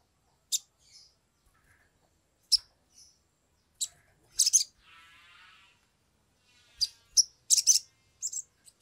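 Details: Sumatran leafbird singing with agitation, recorded as a lure so birds start singing quickly: isolated sharp high chips, a soft raspy rattle in the middle, then a burst of fast, squeaky, chattering notes.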